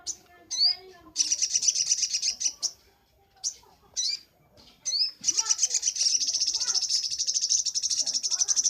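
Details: High-pitched song of a crimson sunbird (sogok ontong) for training birds: sharp rising chips and short buzzy bursts separated by pauses, then a long, even, very fast trill running to the end.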